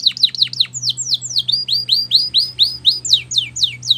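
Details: Canary song recorded to train young canaries. Looping downward whistles give way to a long tour of rising and falling slurred notes, about four each second, over a steady low electrical hum.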